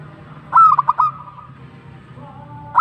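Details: Zebra dove (local perkutut) in tumbak cucukan song: one bright phrase of four rapid staccato coos trailing into a soft sustained tone, then quiet low hum and the start of another note at the end.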